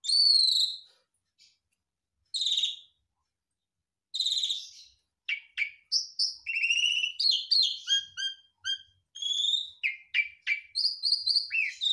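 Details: Mimicking other birds, a Garuda mompa Javan pied starling sings for songbird training: three spaced harsh, descending phrases, then a rapid burst of varied high chirps, trilled stutters and short whistles repeated several times a second.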